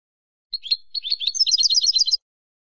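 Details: Spanish European goldfinch song opens with a few separate chirps, then builds into a dense, fast jingling twitter of high liquid notes before stopping sharply. No other sounds.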